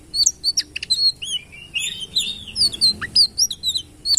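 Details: Sitrun singing: rapid high thin whistled notes and sharp chirps, some slurred downward, given in quick bursts without a steady rhythm over light background hiss.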